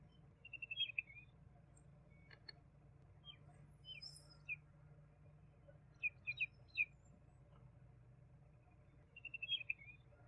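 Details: Juvenile common babbler (Argya caudata) in dry open scrub, giving quiet high chirped phrases: a rapid run of short notes near the start and end, with three or four sharp downslurred chirps between, over a low steady hum.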